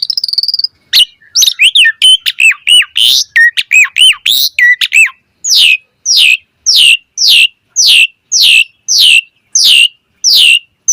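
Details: Asian pied starling singing a varied song used to lure other birds into replying: a fast jumble of looping whistled notes, then about ten loud harsh downslurred calls repeated roughly every half second.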